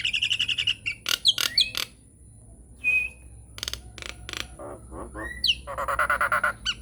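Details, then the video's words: Nias hill myna lure song meant to get silent mynas singing: bursts of harsh broadband squawks and clicks, a brief pure whistle, then a rapid buzzy rattle of stacked notes. "SUARA PANCINGAN JALAK NIAS GACOR BIKIN JALAK MACET LANGSUNG NYAUT"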